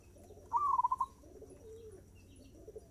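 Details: Zebra dove singing at a fast tempo: a short burst of rapid pulsed cooing notes, then softer lower coos trailing after, with a faint background hum.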